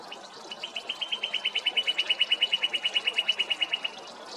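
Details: Male northern cardinal singing to mark territory or court a female: a fast, even trill of short, clear notes on one pitch, about eight per second for roughly three seconds, with faint background hiss.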